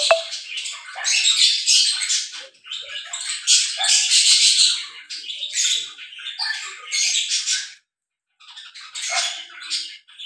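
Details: A lovebird pair during mating chatters almost continuously with grating, high-pitched squeaks and squawks, then falls quiet for a moment before a last short flurry.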